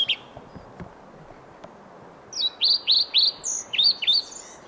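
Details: A male European pied flycatcher in Sweden sings to a listening female a quick phrase of high, sweet notes, mostly downslurred, about eight in two seconds, after a quiet start with faint clicks.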